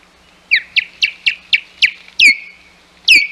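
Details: Ospreys at the Hog Island nest on 11 May 2021, with intruding ospreys about. Six short, sharp whistled chirps come at half-second intervals, then two longer slurred whistles that drop and trail off.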